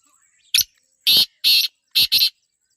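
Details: Black francolin (kala teetar) from Pakistan giving a loud, rasping call of five harsh bursts: one short note, then two longer ones, then a quick closing pair.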